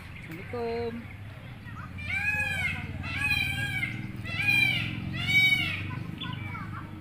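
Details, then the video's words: White cockatoo talking, giving a run of four loud, harsh, speech-like syllables with rising and falling tones in quick succession, over steady low engine-like hum and a brief tonal sound at the start. "Burung Kakatua putih pandai bicara....."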